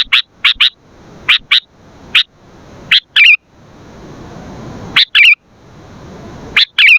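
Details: Sooty-headed bulbul, used as a lure and as a master song to train other bulbuls, giving short bright paired notes, the second a warbled twist, in bursts separated by pauses with faint background hiss.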